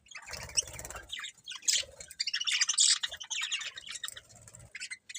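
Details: Chattering budgies produce a crowded mix of high twittering, rapid squeaky chirps and brief clicks, loudest in the middle, over a faint low hum.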